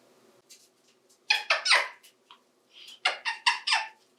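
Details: A 28-year-old male African Grey parrot at home, playing with toys in the bathtub, makes squeaky, breathy, speech-like bursts. They come in two quick clusters of three or four syllables, with soft clicks in between.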